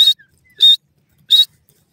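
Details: Grey francolin, known locally as dakhni teetar: three short, loud, high-pitched whistled bursts with a harsh edge, each about a tenth of a second, spaced roughly two-thirds of a second apart, with silence between.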